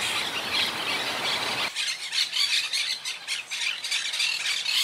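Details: Quaker parakeets of a wild colony, recovering after hurricane Irma in 2017, give a dense noisy chatter that breaks off abruptly and gives way to separate harsh, scratchy squawks from several birds.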